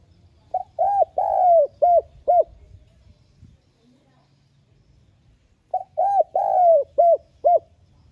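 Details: Spotted dove lure call, light-voiced urging coo for stimulating captive doves: two mellow five-note phrases, each with a long descending middle note, separated by about three seconds of silence.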